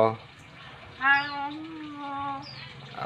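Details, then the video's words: Young captive Nias hill myna, native to the Nias islands of North Sumatra, Indonesia, learning to talk; a drawn-out harmonic, voice-like utterance with a short whistled upslur, in a small room. "Beo nias cerewet banget"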